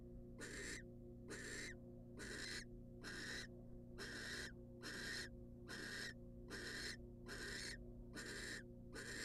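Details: Wild female barn owl taking a rat delivered by the male at a monitored nest box: eleven rasping, hiss-like screeches repeated steadily about once per second, with a persistent low hum behind.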